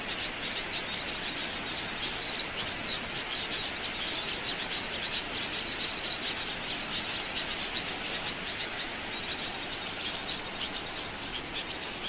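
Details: Oriental white-eye calls played as a trapping lure: a busy stream of high rapid trills punctuated by about ten sharp downward-slurred whistles, nearly continuous throughout.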